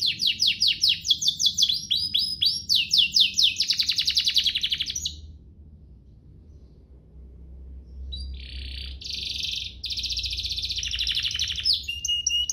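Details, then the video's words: Domestic canary with an ornate song used to tutor young birds: about five seconds of rapid descending chirps and buzzy trills, a quiet gap of roughly three seconds, then renewed trilling and a sustained whistle. "Cengkoknya MEWAH, Efektif buat Masteran kenari paud dan pancingan kenari biar gacor"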